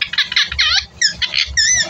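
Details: Native pet parrot talking in quick, chattering speech-like syllables, some rising and falling in tone, with a pause near the middle before more rapid babble and a low background rumble.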